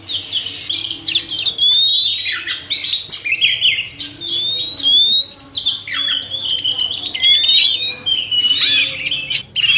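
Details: Oriental magpie-robin pair, male and female, singing in bursts: long upslurred whistles, harsh churring notes and fast chatter, separated by brief quieter gaps.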